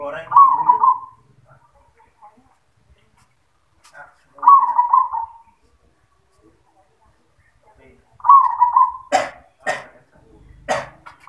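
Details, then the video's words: Zebra dove performing its yoman song: three rolling coo phrases about four seconds apart, followed by several sharp tapping clicks near the end. "Perkutut suara yoman | Perkutut Manggung"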